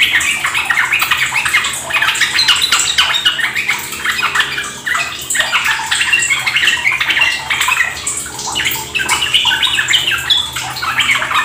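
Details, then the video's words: Sooty-headed bulbul lure song meant to get other trucuk singing ropel; a long stretch of energetic overlapping chatter and bright whistled notes, with a constant water-trickle background and a brief dip midway. "Pancingan trucukan agar ikut ropel gacor"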